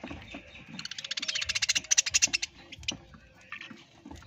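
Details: Parrot giving a fast rattling series of about twenty sharp, evenly spaced notes that swell and fade over under two seconds, followed by a few scattered chirps and soft background rustling.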